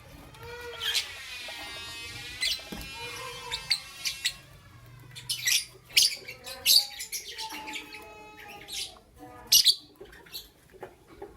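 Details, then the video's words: Lovebirds chirping in the morning: shrill, sharp chirps in irregular bursts, mixed with squeaky, wavering whistled tones with rich overtones, quieter between bursts, with a faint low hum underneath. "Lovebirds Chirping Sounds"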